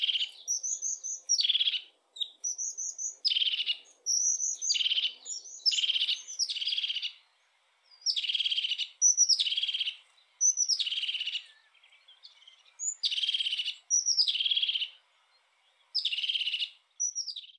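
A European crested tit repeats thin high notes that run into a purring, rolling trill.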